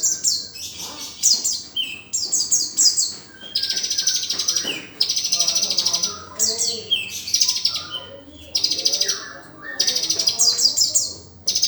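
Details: Sunbird (kolibri konin, 'dacok' style with rich fill) singing a training song meant to coax other kept songbirds into singing: high, rapid chirps and trills alternating with sustained buzzy notes, delivered in bursts roughly every second, with no other clear sounds.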